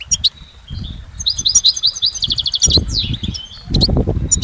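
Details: Goldfinch singing in nature: rapid, high twittering trills and tinkling notes in bursts, with short buzzy slurs, over low rumbling background noise that swells near the end.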